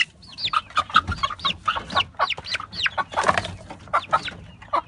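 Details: Brahma chicken pullets and chicks kept for sale: loud, close peeping chorus of short down-slurred and arched chirps, packed several per second, from many birds at once, with a light background rustle.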